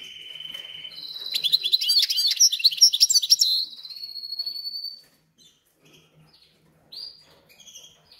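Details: A caged goldfinch-canary hybrid, recently acquired and settled in for 2–3 days, sings a rapid, tinkling, twittering phrase of high notes for about four seconds. It then falls quiet apart from a few soft chirps.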